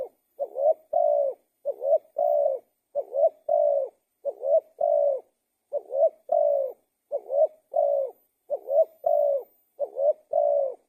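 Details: Steady cooing of a spotted dove. About eight rhythmic phrases follow one another at an even pace, each made of a short note, a rising swell and a sustained level coo. The background is silent.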